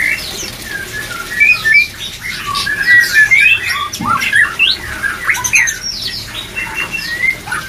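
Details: Breeding-drive therapy recording of white-rumped shama: a rapid medley of clear whistles, slurred upward notes and harsh chattering squawks, about four per second, delivered in a busy, overlapping stream.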